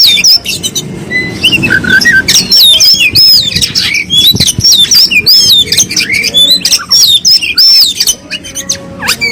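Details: Local East Java Oriental magpie-robin of the black-breasted type in a masteran recording: repeated looping whistled notes and squeaky phrases over a noisy, rumbling background.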